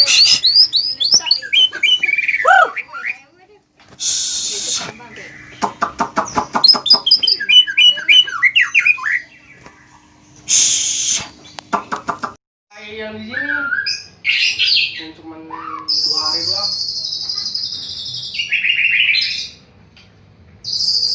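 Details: White-rumped shama (murai batu) from Aceh sings a loud, varied song of sliding whistles, rapid trills and harsh bursts.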